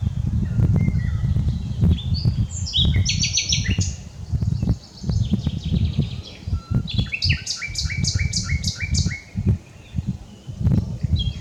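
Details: A common nightingale sings in an unedited recording, delivering rattling repeated-note series and stuttering trills that step down in pitch, against a loud low-pitched rumbling background.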